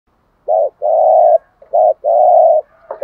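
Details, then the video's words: Spotted dove thúc gù coo used as a decoy lure to excite other doves: low hollow coos, two short notes then a drawn-out one, repeated over about three seconds in a quiet setting. "thuc gu tho pha cu moi tho pha gu thuc gay goi"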